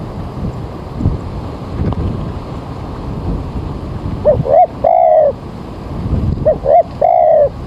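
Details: Spotted dove calling as a trapping lure early in the morning as rain approaches: rushing background noise at first, then two phrases of two short coos and a longer drawn coo.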